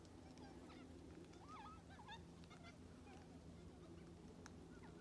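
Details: At Lake Clifton, Western Australia, on 25 April 2022, a flock of about 100 black cockatoos (likely Carnaby's) feeding on parrot bush seeds gives overlapping, fairly faint wailing and rising calls over a steady low rumble of wind or distant traffic.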